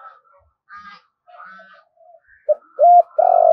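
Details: Spotted dove giving its urging call meant to lure wild doves in to fight; soft, scratchy murmurs give way to a short note, a clear held coo and the start of a long, loud, descending coo.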